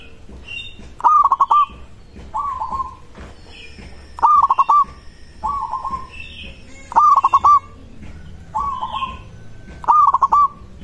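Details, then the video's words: Local zebra dove song, meant to make other doves call back: eight purring, stuttering coo phrases, loud and softer phrases alternating regularly, with faint higher chirps in the background. "Perkutut lokal suara ini disukai burung perkutut langsung nyaut"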